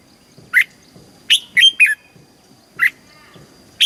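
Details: Red-whiskered bulbul from Thailand, a caged songbird whose southern-style song is used to stir other caged birds and tutor young ones, delivering sparse, sharp chirped notes, single and in a quick cluster, with silence between.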